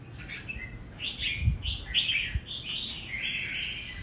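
A red-whiskered bulbul sings a run of bright, liquid warbled phrases, with soft low thumps beneath.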